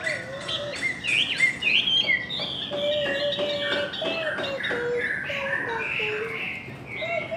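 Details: Contest song of Chinese hwamei: a dense, continuous stream of varied whistles, slurred trills and quick chirps at mixed pitches, with a lower looping whistle running underneath throughout.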